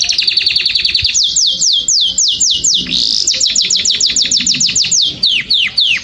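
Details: Canary song meant to stimulate males and females to mate: loud, high trilled phrases of rapid descending sweeps repeated about three times a second, with steady high whistled notes between rolls.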